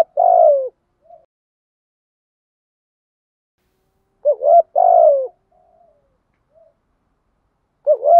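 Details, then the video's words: Spotted dove coo played as a lure to excite decoy birds, 'thúc gù' style: a long falling coo, then a complete two-part phrase of a wavering note and drawn-out coo, with quiet gaps and soft faint notes between. "tiếng chim cu gáy mồi kích bổi và mồi hiệu quả nhất hiện nay giọng bài bản/ thúc gù chim cu đất"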